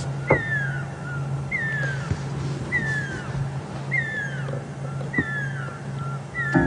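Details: Pearl-spotted Owlet singing in the evening at Djuma Game Reserve on 9 July 2015, with another possibly answering: a series of clear whistles, each sliding downward, about every second, over a safari vehicle's idling engine.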